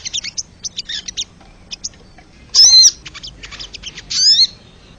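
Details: Crested jay recorded wild, for training caged songbirds: scattered short high chips, then two loud, harsh, buzzy calls with curving whistled overtones, followed by a few quick clustered notes.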